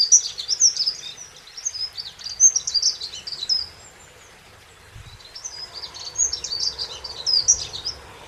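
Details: Soft, melodious Dunnock singing in two rapid high warbled phrases, each about three seconds long and full of quick squeaky notes, separated by a short quiet pause, over light background noise.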